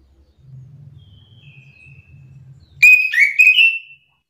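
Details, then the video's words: Agitated Orange-headed thrush answering another bird's song. A low hum comes first, then a loud, sudden phrase of warbling whistled notes that rapidly rise and fall, with several quick notes in about one second. "Anis kembang mu langsung terpancing emosi ikut bunyi sahut sahutan"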